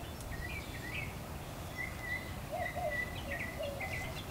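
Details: Back-yard mockingbird song, faint sliding whistles and a few brief doubled notes, set against constant low environmental noise.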